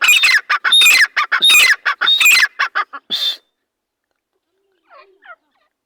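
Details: A pair of partridges calling loudly: harsh, grating notes repeated in quick bursts for about three seconds, then a long silence broken by two faint, short calls near the end.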